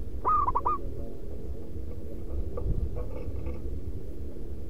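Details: Loud rhythmic manggung song of a local zebra dove used as a lure: a single short phrase of fast, bouncing coo notes early on, then faint chirps from other birds over a low hum.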